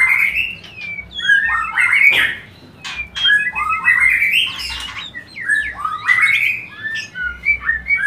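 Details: Song of a white-rumped shama, played to prompt breeding: loud varied whistled phrases mixed with harsh chirps and clicks, phrases broken by brief gaps.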